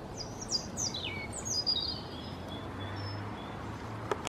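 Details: European robin in Ukraine in spring, singing a cascade of high, thin whistles that slide downward in quick succession. A few fainter twittering notes trail off after it over a low background hum.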